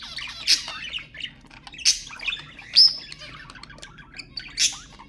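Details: Budgerigar sounds used to stimulate budgies: loud sharp squawks about once a second to every two seconds, separated by soft murmured warbling and clicks.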